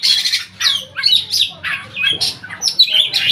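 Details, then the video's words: Loud, continuous singing from an Oriental magpie-robin, a competition bird from Riau, Indonesia, never beaten at provincial level: rich slurred whistles mixed with scratchy, squawky notes in fast succession. "Burung Kacer"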